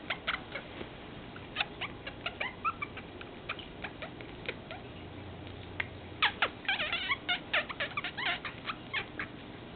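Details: A pet Meyer's parrot showing affection: soft, irregular clicks and ticks, several per second, broken by short, sharp chirps and a brief burst of quick chattering notes near the end. Indoor setting, no other clear sounds.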